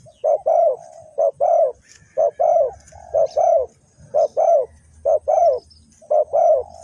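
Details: Trapping decoy spotted dove, Ninh Thuận, Vietnam: regular paired coos, a brief note then a longer throaty one, repeated in a steady cadence, with a soft low rumble in the background.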